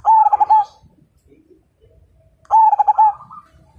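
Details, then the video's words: Majapahit zebra dove: two loud trilling coo phrases, each a quick run of clipped notes about half a second long, separated by near silence with faint distant coos. "Perkutut MAJAPAHIT GACOR DAN FIGHTER Suara Bikin Burung Lain Ikut Manggung"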